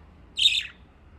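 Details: Pet budgerigars playing in water in Japan: one short harsh chirp, bright and buzzy, descending slightly at its end, with quiet background.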